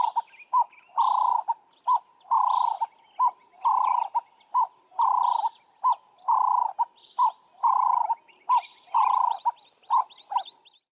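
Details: A ring-necked dove in southern Africa repeats its low, mellow three-note coo, a short note then a longer one, roughly every second and a half, with faint chirps of other birds above.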